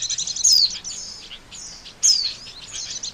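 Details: Two bright descending whistled notes about one and a half seconds apart, set among soft high twitters, from Oriental white-eye calls used to lure birds into traps.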